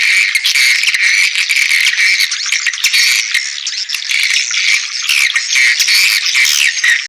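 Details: Swiftlet calls in a thick, steady mass of high, rasping twitters and trilled chatter, with short sharp clicks scattered through the sustained chorus.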